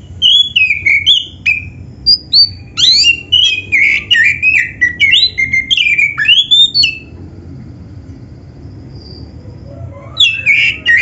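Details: Oriental magpie-robin (black-breasted kacer) song used to train and provoke other magpie-robins: about seven seconds of dense, varied whistled phrases and sharp clicks, then a quiet gap before a fresh burst of song starts.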